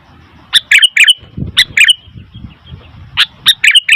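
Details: Noisy Sooty-headed bulbul gives short groups of sharp, bubbly chirps with flicked endings, separated by pauses, while low muffled background noise is heard.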